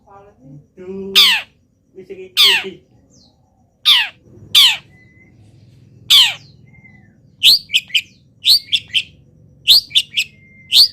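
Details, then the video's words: Molting local long-tailed shrike in full voice, mimicking wild birds. Harsh descending squawks come first, then a quick run of sharp high chips in tight pairs and triplets, with low background rumble. "CENDET GACOR FULL ISIAM BURUNG LIAR"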